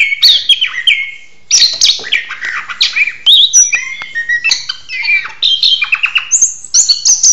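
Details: Courting orange-headed thrush in a mating ritual, loud song of varied whistled phrases, harsh chatter and mimic-like notes, with a brief pause near the start before the outpouring resumes.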